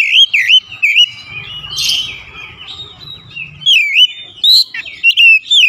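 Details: Oriental magpie-robin song, played to get an off-form bird that has stopped singing to sing again: loud whistled notes with rising and falling sweeps, repeated in short bursts, with a softer low murmur in the middle.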